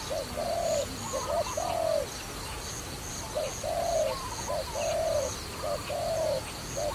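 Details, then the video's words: A trapping dove coos steadily, each phrase a brief clipped note then a longer smooth coo, about five phrases over seven seconds, while small birds chirp faintly in the distance. "Wonderful Trapping Dove"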